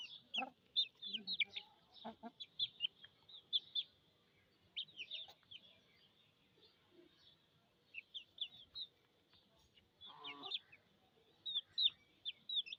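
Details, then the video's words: Domestic chicks calling out of thirst, giving bright high-pitched peeps in scattered clusters separated by quieter gaps. A few lower murmurs and faint background sounds come through beneath the chirping. "MURGI chichs chirping sounds with thirst"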